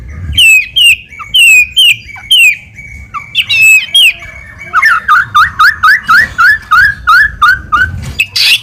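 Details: Lure recording of White-rumped shama song meant to provoke a response: ringing whistled upslurs repeated rapidly, then a long steady series of looping whistled notes, closing with a harsh burst.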